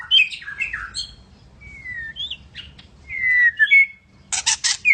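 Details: White-rumped shama, called murai medan, delivering varied song: clear slurred whistles, short rising and falling notes with pauses between, ending in several harsh broadband rasping bursts.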